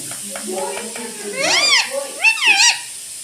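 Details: Pet rose-ringed parakeet imitating speech: low murmured syllables give way to two loud, arched, nasal words with bending pitch, each lasting about half a second, in a small indoor room.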